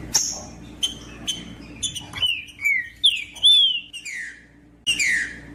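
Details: Green-winged saltator, female calls plus male song meant to make a reluctant male sing: sharp high chirps open, then a string of loud clear whistles sliding down, some rising then falling.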